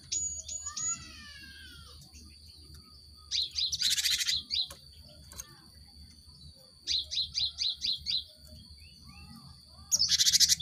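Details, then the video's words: Cinereous tit song used as a lure to make caged birds sing quickly: downslurred whistles, then harsh buzzy bursts and a run of six crisp repeated notes, with a low background hum. "Pancingan gelatik batu untuk merangsang burung ombyokan cepat bunyi"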